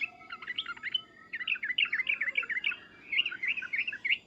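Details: Sooty-headed bulbul in an excited bubbling chatter, phrases of quick, warbled rising-and-falling notes in three bursts, over a soft background hiss.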